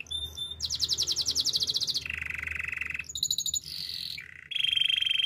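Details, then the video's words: Spanish timbrado canary singing a training song: a fast high rolled trill, then a lower buzzy sustained roll, metallic high notes, a descending slurred phrase and another steady mid-pitched rolling trill. "Canary singing for training - Spanish timbrado song"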